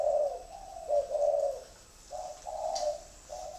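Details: Spotted dove with a 'thổ' style voice, calling in a series of low, hollow coos. Phrases rise and fall slightly, with short pauses between notes. The background is quiet apart from faint hiss.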